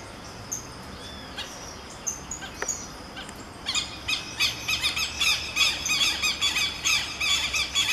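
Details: Southern lapwing duet: a few isolated sharp notes, then from under four seconds a rapid stream of harsh, screechy calls repeated about three per second, two birds overlapping, outdoors in a rural setting.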